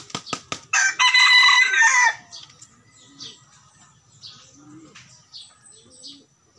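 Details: Junglefowl crowing: a few sharp wingbeat claps, then one loud, harsh, strained crow of about a second and a half, followed by quiet soft chirps and coos from other birds in the background.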